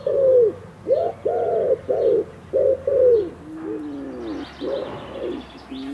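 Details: Amorous wood pigeon cooing while it courts a female: low, rounded, hooting notes repeated in uneven bursts, then softer sliding coos, heard outdoors with a faint rural background.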